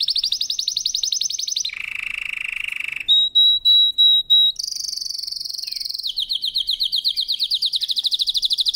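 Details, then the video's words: Canary in full powerful song for training: a sequence of rapid rolling trills at changing pitches, a lower buzzy tour, several clear ringing whistled notes, then fast high trills again. "CANARY SINGING POWERFUL SONG | CANARY SINGING FOR TRAINING"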